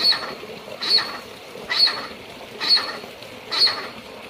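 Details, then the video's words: Blue eared pheasant (Crossoptilon auritum) in Gansu province, China, giving five harsh, rasping bursts about one per second, each with a thin high squeak on top. "Blue Eared Pheasant (蓝马鸡,Crossoptilon auritum) and its calls"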